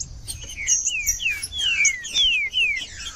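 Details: Trinca-ferro frio, green-winged saltator song meant to warm up caged birds: a brisk series of long, clear downward-sweeping whistles with soft high chirps behind.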